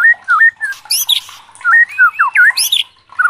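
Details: Agitated white-rumped shama: crisp whistled phrases of rising and falling slurs, broken twice by high, squeaky, scratchy notes, delivered rapidly with short pauses between phrases.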